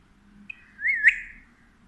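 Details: Pet Alexandrine parakeet that talks to a baby in Urdu/Hindi gives one short whistled call, rising and falling twice within half a second, in an otherwise quiet room.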